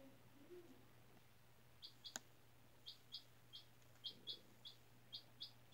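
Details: Young chick at four days old, one of a school class's incubator hatchlings, on fresh bedding; brief soft rustling, one sharp click, then a run of bright, high, evenly spaced peeps, with a low background hum throughout.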